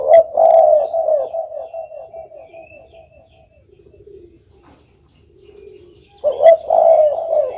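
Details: Spotted dove coos loudly, then fades into soft, lower mumbling notes and near silence before a fresh strong burst of cooing returns.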